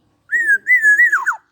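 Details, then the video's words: A 21-year-old black-naped oriole singing persistently: one fluty, whistled phrase, a level then gently wavering tone that breaks into quick, liquid falling notes at the end, in a quiet background. "Burung kepodang gacor umur 21 tahun masih jooos."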